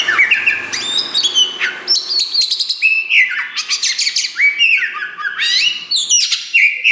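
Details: Black 'wulung' Oriental magpie-robin in full, loud 'gacor' song while starting to push its tail. Continuous mimic-like medley: clear whistled notes, stepped rising phrases, crackly chatter and a final bright whistle, with no other sounds.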